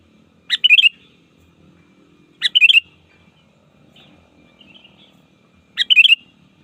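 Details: Sooty-headed bulbul lure song for calling rivals in the wild: three short phrases, each a sharp upward note then a quick bubbly run of three or four liquid whistles, spaced about two to three seconds apart, with soft low rumble beneath.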